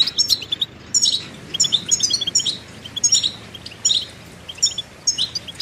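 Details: Goldfinch song on a tape for training young songbirds: lively, repeated high twittering phrases with buzzy and tinkling notes, coming in quick runs separated by brief pauses.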